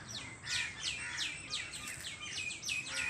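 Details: Birds chirping on a farm in the evening, loud, sharp, downslurred chirps repeated about three times a second over a softer background twitter of many birds.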